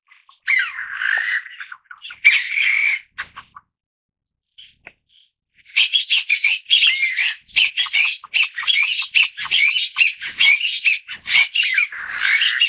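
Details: A few rough calls from a Taiwan bamboo partridge, then a short silence. After that comes a long, fast run of loud, repeated harsh notes, about two or three each second, carrying on to the end.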